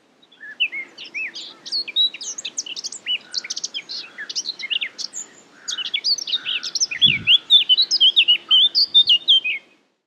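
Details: Eurasian Blackcap (Sylvia a. atricapilla), Marais d'Harchies, Belgium, May 2017, sings a long, busy warble of quick varied chirps building to a loud, regular series of rich fluty notes; a faint low hum and one short thud.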